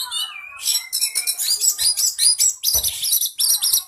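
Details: Kacer, Oriental magpie-robin, singing to stir a caged bird to chatter and respond aggressively: loud, dense run of high chattering notes and piercing whistles delivered in rapid bursts, opening with a falling whistled phrase.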